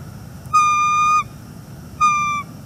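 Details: Northeast Florida bald eagle pair conversing at the nest on a September 2021 morning following an unsuccessful mating attempt; one long, level, bright whistle followed by a shorter one after a pause.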